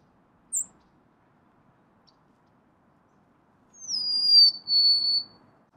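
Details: Golden-crowned sparrow: a single short chip, then a long pause, then one drawn-out whistled phrase of two notes that gently falls in pitch, over soft background noise.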